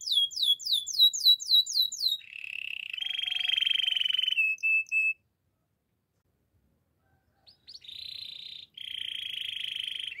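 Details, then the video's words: Canary singing a run of rapid downslurred chirps, then long buzzy rolling trills ending in short clipped notes. After about two and a half seconds of silence, more buzzy rolled tours follow on clean quiet ground. "Your canary will sing everyday fullspeed"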